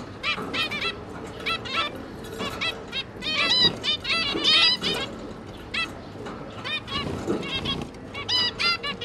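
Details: Zebra finches, two parents busy feeding their three juvenile young, recorded 5 September 2022: dense bursts of short nasal trumpet-like notes, several birds calling over one another, with a constant low hum underneath.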